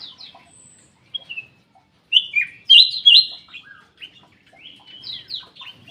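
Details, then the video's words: Black-capped bulbul in an aviary. Sparse chirps give way to a loud run of clear whistled and slurred notes, followed by busy high twittering, likely from other birds present. "KICAU KUTILANG EMAS \ CUCAK EMAS GACOR"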